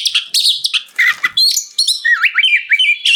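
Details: Kacer, the oriental magpie-robin, in loud ngeplong gacor song meant to draw other kacer into singing; harsh chattering notes give way to a quick series of rising whistled slurs repeated about three times a second.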